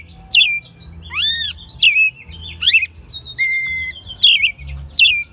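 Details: American robin raised from a chick, singing at home in Mexico City in March 2020; varied slurred whistles, arching notes and shrill squeaks, including a flat steady whistle, with low humming background noise.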